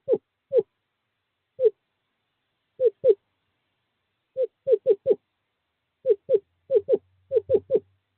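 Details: Male screech owl calling a female to nest box 5 during courting season, 2/11/2023: scattered short hooting notes, single or paired, then quickening into tight groups, each note dipping slightly in pitch; faint low hum near the end.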